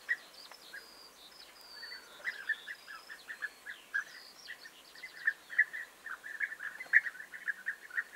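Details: Several European bee-eaters recorded on 29 May 2021, giving short rolling, liquid calls over and over in a busy, overlapping chorus. The notes come in irregular bursts that grow denser and louder toward the end, with a faint hiss behind them.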